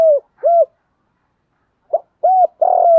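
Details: Spotted dove lure, short low arched coos followed by a longer falling coo, a pause of over a second in the middle.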